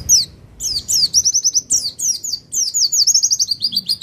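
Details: Javan white-eye from Pacitan, a master recording used to train caged birds and provoke them into singing: rapid high, thin twittering phrases of sweeping, descending notes, with bursts of quick trilled runs and brief pauses between phrases.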